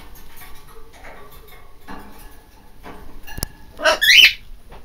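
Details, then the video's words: Pet macaw letting out a short, harsh squawk that swoops up and down, heard after a stretch of soft indoor rustling and a sharp click. "the Macaw screaming"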